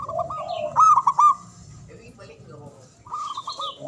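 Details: Javanese zebra dove with a loud voice and long breath, used to coax quiet doves into answering. One sharp burst of fast rippling coos stands out, followed by quieter murmurs and a soft cooing phrase at the end.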